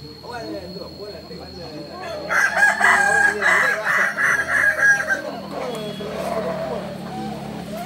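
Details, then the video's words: Rooster of the Kukuak Balenggek breed from Solok, West Sumatra, heard at a group practice session: a bright, pulsing run of crow syllables in the middle of the stretch, over murmuring crowd noise and a steady background tone. "latberan ayam kukuak balenggek(akb)"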